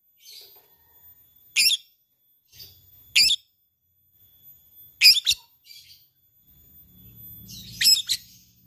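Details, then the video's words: Labet bird, kept as a fighter, calls out to an opponent with ngetik notes: short, piercing, high ticks spaced a second or more apart. Softer twitters sit between them and a low hum rises near the end. "LABET memanggil lawan | ngetik ngekek"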